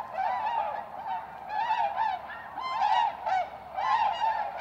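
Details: Tundra swans returning in spring to Goose Pond, Columbia County, south-central Wisconsin, USA, in March 2016; mellow, bugling hoots overlap in a steady chorus, several birds calling in irregular bursts about once a second.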